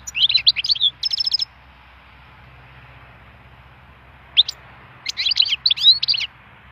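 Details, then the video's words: Wild European goldfinch singing a fast, tinkling twitter mixed with short buzzy trills, a pause of about three seconds, then a single high note and another rapid jangling phrase. "chant chardonneret sauvage"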